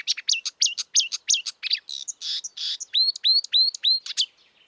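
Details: Marsh warbler in the wild delivering rapid hooked notes and buzzy bursts, followed by a neat series of repeated downslurred whistles.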